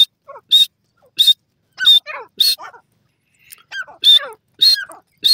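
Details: Francolin (dakhni teetar) kept at home, giving sharp, high, clipped notes repeated roughly every half to three-quarters of a second, with softer lower chattering and squeaky sounds between them.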